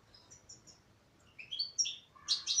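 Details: Female European goldfinch starts with soft thin whistles, then rising chirps and a loud, buzzy twitter burst at the end.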